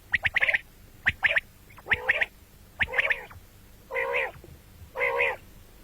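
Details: Common quail, morning and night: quick bursts of sharp notes at first, then longer, rich, nasal buzzy calls spaced about a second apart.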